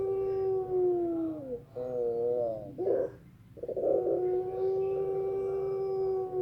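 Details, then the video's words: A Pelung rooster gives a soft, quiet crow: a long drawn-out tone with rich harmonics. It bends downward, then wavers in a warbling middle section, breaks briefly, and ends in a long, steady held note. "PUTER PELUNG SUARA PELAN"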